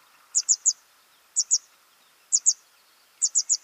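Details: Young birds at feeding time give short clusters of two to four sharp, very high chips, repeated about once a second against a quiet background.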